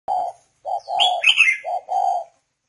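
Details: Captive spotted dove from northern Vietnam, kept as a branch decoy bird, giving short, steady mid-pitched coo notes in a broken series, with sharp higher chirps from small birds mixed into the middle.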